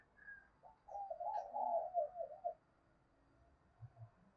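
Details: Spotted dove giving a 'thúc bổi' coo meant to set other doves cooing: a quieter run of warbling, wavering coo notes lasting about two seconds over a low background hum and faint room noise.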